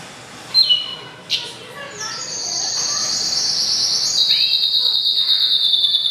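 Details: Goldfinch × canary mule, hatched April 2011, singing: a few sharp scattered chirps, then a long, steady high buzzy trill held for about four seconds, slowly dropping slightly in pitch.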